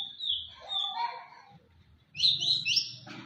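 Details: Champion contest white-rumped shama giving a long descending whistled phrase, then a pause and a burst of quick, high, rising chirps, over soft low rumbling.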